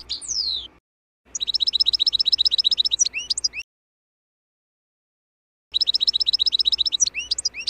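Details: European goldfinch natural (wild-style) song from 2024, meant for this season's young birds: a descending slur, then a fast run of repeated bright twitters and upslurred notes, with silent gaps between phrases.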